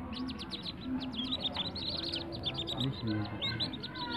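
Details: Captive-bred whistling duck ducklings give a dense stream of high, thin, downslurred peeps from several chicks at once, over a low background rumble.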